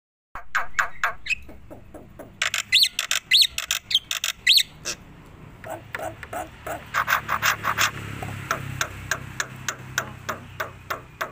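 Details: Tame black-winged myna singing vigorously while bobbing its head: a run of sharp clicks and chattering notes, a few clear high whistles in the middle, then dense rapid ticking phrases.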